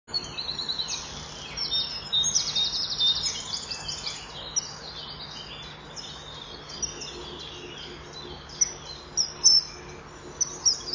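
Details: Common kingfishers at a nest wall on 26 May 2015 at 07:41, with the female perched while the male flies in and out, then mating on the front perch, give thin, shrill, high calls in quick uneven bursts over a low hum.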